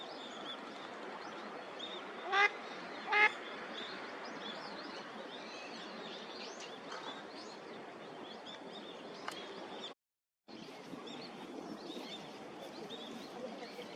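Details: A female Mallard (Anas platyrhynchos) in Mizumoto Park, Tokyo, December 2024, a winter visitor there, gives two loud, nasal quacks close together over a steady background hiss.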